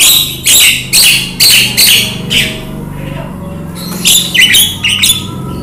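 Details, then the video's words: Javan myna (jalak kebo) recorded as a training recording with rain sounds, meant to get caged birds singing and talking: loud, harsh, raspy squawks in short bursts, roughly two per second with pauses, over a steady low hum. "Jalak kebo 38.masteran jalak cpt ngomong dan gacor dgn terapi hujan"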